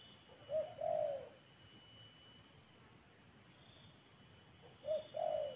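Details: Spotted dove calling as decoy and wild bird show off and court each other. Two faint phrases about four seconds apart, each a short note followed by a drawn-out coo, over a constant background hiss.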